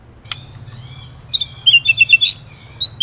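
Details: White-rumped shama (murai batu) song in the Indonesian tutor-recording style with rolling 'ngerol' and sharp 'nembak' phrases: quiet opening with one high note, then a burst of varied, fast, high whistled and slurred notes in quick succession.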